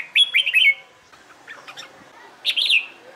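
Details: Red-whiskered bulbul practicing competition song: a loud lilting phrase of three bright slurred notes, a softer scattered chirp, then another clear warbled phrase.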